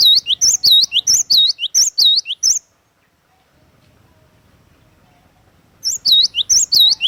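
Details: Cinereous tit (glatik watu), singing energetically: rapid series of ringing, high whistled couplets, each a thin upslur then a dipping U-shaped note, about ninety per minute, broken by a three-second pause before the same chant resumes.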